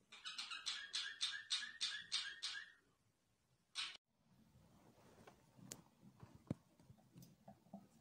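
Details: Pet budgerigars: a run of about eight rapid, evenly spaced harsh chirps over two and a half seconds, a single short burst later, then low background noise with faint knocks and clicks.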